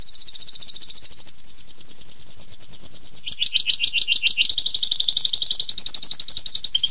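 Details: Canary in long uninterrupted song: high fast trill dropping into lower, denser rolling tours that continue without pause.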